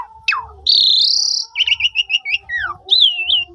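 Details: Asian pied starling singing as a lure for silent starlings, recorded with a phone: a falling whistle, a long buzzy note, a string of quick repeated chirps, a descending slur and a final wavering whistle, faint hum beneath.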